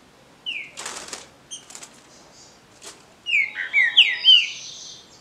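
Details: Singing contest of captive green-winged saltators: wing flutters and rustling open the recording, then a rich phrase of four slurred, downward-sweeping whistles rises over faint high chirps.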